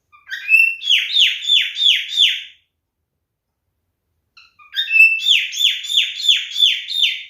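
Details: Male cockatiel calling in courtship: two clear runs of sharply downslurred whistles, about six in each, rhythmic and evenly spaced, separated by a two-second silence.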